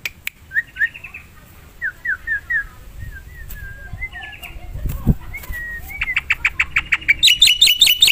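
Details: Black-winged myna song in the wild, used as a lure: varied slurred whistles and short rising notes, a low thump, then a quickening run of sharp, repeated notes.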